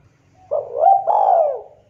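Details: A local spotted dove gives manggung song used as a lure. The phrase is a brief coo that swells into a drawn-out, rounded, slowly falling coo lasting about a second. A quiet low background hum is present.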